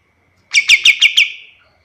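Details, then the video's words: Pied triller phrase recorded for tutoring other birds: five clear, downslurred chirps given in quick succession, trailing off into a fading note. "Suara kapas tembak paling bagus untuk masteran burung lain"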